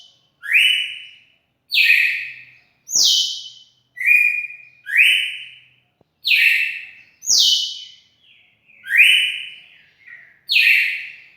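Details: On 4 February 2020 a red-cowled cardinal sings a series of ringing whistled notes, about ten in eleven seconds, alternating downslurred and level or upswept phrases with buzzy overtones; no other sounds stand out.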